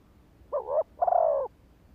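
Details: Spotted dove decoy call for luring males: one phrase made of a brief wavering double note and a longer, pulsing, slightly descending coo, in a quiet setting.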